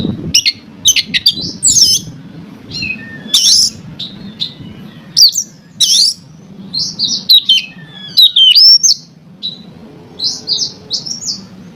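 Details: Oriental magpie-robin (kacer) singing to provoke rival magpie-robins into song: loud varied phrases of sharp chips, harsh bursts and sweet rising whistles over about twelve seconds, with short gaps and a low background hum.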